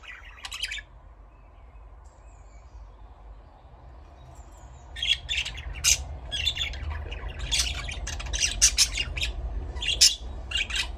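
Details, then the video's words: A brief chirp, a quiet pause, then a lively run of budgie chirps and squawks, irregular and tumbling, roughly fifty notes a minute, over a low rumbling background. "Parrot chirping sound"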